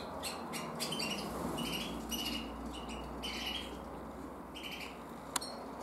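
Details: A red-black intensive canary hen hatched in 2024 gives a loose series of short, bright double chirps, repeated roughly twice a second, with one sharp click near the end.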